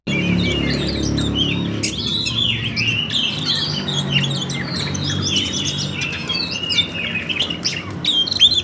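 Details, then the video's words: Fighting Oriental magpie-robin singing a nonstop 'ngerol' roll of quick chirps, twitters and short whistled sweeps, busy and unbroken throughout, over a constant low background hum. "suara Kacer tarung ngerol"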